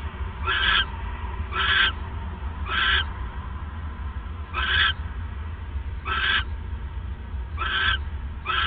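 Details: Nighttime owl calls on 28 December 2014 as a male arrives with a third mouse: seven brief hoarse, rasping bursts repeated roughly every second, against a steady low-pitched hum.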